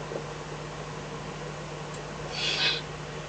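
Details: Eurasian eagle-owl at night in the Eifel, 24 May 2014, around 03:40–04:18, a fox delivered as food; one rough, breathy hiss near the end after quiet background hum.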